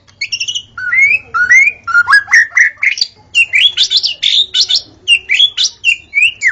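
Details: At dawn, a white-rumped shama sings in a recording used to attract shamas: fast, varied series of upslurred whistles and sharp chips, densely packed with no long gaps.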